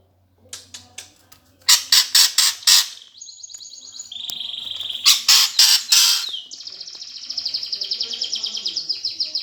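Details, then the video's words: Greater green leafbird giving fighting song to goad competition birds: sharp clicks lead into bursts of harsh rasping chatter, short flat high whistles, and a long trilled, buzzy high phrase at the end. "cucak ijo suara gereja tarung"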